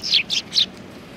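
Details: Eurasian tree sparrows, a group of cute sparrows recorded on 28 December 2019; three short, bright descending chirps in quick succession within about half a second, then quiet.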